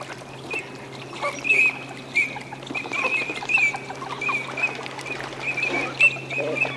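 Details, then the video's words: Eurasian teal in courtship display at the Aiguamolls de l'Empordà wetland, Spain, on 25 December 2015; many short high whistled notes from several birds over a steady low hum and background chatter. "SARCELLE d'Hiver/Anas crecca/Parades ! BRUITX"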